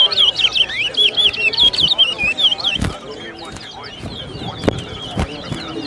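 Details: Brown towa towa, chestnut-bellied seed finch, caged and singing in a morning song race at a bird ground in Guyana; rapid high twittering warbled phrases for three seconds, then sharp clicks and people talking.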